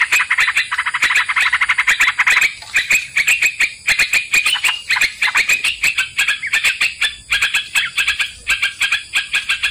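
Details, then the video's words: Lure audio of sooty-headed bulbul (trucukan) for catching birds: rapid scratchy chatter, fast at first, then a steadier train of sharp repeated notes. "Pikat trucukan langsung nyangkut"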